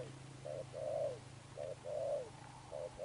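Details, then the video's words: Spotted dove coo in the "sấm thổ" style: slower paired hoots, the longer notes wavering slightly, over a noticeable low hum. "Thúc Đồng Pha Sấm, Gù Âm Sấm Thổ, Bổi tướng bồ câu"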